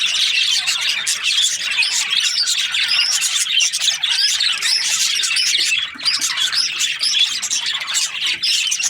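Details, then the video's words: Steady high chirping and warbling from budgerigars in breeding pairs, many voices overlapping into a constant flock chatter. "Budgies parrot chirping sounds | breeding pairs"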